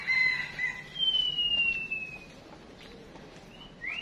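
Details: Female decoy songbird (chim chuyền) call used to provoke males into singing: clear high whistles, a short pair of notes followed by a long, slowly falling whistle, then a brief rising note at the end.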